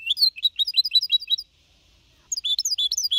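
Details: Singing goldfinch mule, four and a half months old, Malaga copy style, 2021, used to motivate other birds; a fast series of high, sharp twittered notes, a brief pause, then the chattering song resumes.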